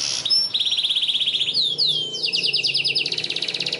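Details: Canary song used as a long, energetic lure for training young canaries to sing: rapid trills of high chirps, a few sweeping whistled notes near the middle, then fast buzzy rolls repeated about three times a second.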